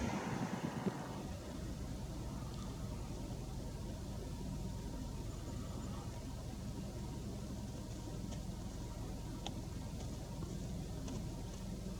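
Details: Steady low vehicle rumble fills the recording, with no animal calls standing out.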